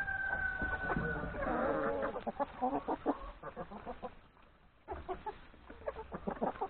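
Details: Yard flock of hens and three roosters at breakfast before going to forest pasture; a drawn-out level cry opens, followed by rapid uneven clucking from many birds, roughly three per second, with a brief quiet patch.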